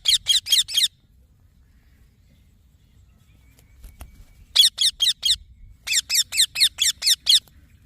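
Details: Green baby parrot giving quick runs of shrill, harmonic chirps: five notes, a long pause, then two further bursts of about five and seven chirps in steady succession over faint low hum.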